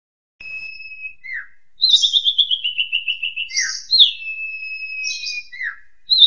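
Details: Asian pied starling singing in a lively ngentrok style, a therapy song used to train and startle house-kept magpie robins: a steady high whistle, a downslurred note, then a fast run of bright repeated trilled notes and another long whistle.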